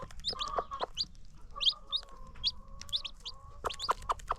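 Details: Farm chickens kept free range with baby chicks: bright rising chick peeps in quick bursts, layered over steady humming hen calls and a few sharp clucks.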